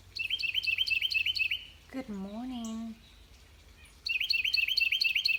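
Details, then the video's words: Carolina wren in a garden in mid-eastern Georgia on a spring morning sings a fast, loud string of repeated ringing phrases, about five to a burst, broken midway by a person speaking; thought to be calling his mate about a nest site. "Garden Birds singing"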